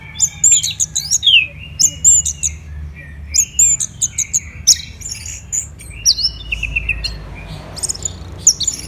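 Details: Orange-headed thrush in full song, kept for song training and contests: a rich, varied run of high whistles, sharp downslurred notes and chattering trills in rapid phrases, over a low rumbling background hum.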